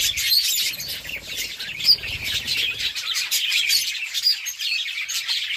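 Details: Several pet budgerigars chatter while eating, in a steady stream of high, scratchy chirps and warbles.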